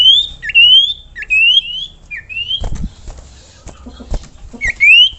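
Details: Common iora (sirtu, cipoh) song used as tutor material for other songbirds: clear rising whistled notes climbing to a high pitch, given several times in irregular succession, with low dull knocks and clatter in the background.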